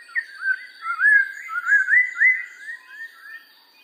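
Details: Black-throated laughingthrush singing a run of clear, looping whistled notes that swoop up and down, about seven linked phrases in quick succession, fading at the end; a faint steady high tone sits behind.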